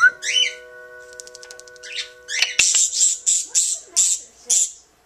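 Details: An African grey parrot (female) imitates a cat's meow for the first time, mixing whistled notes with harsh, squawky bursts among her favourite sounds; grey parrot (Psittacus erithacus).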